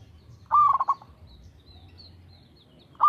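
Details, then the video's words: Local zebra dove (perkutut lokal) singing steadily: a soft, low cooing phrase that starts with a sharp rise, then stutters through quick pulsed notes. A second phrase begins near the end over a faint low hum. "PERKUTUT LOKAL GACOR SUARA TERATUR"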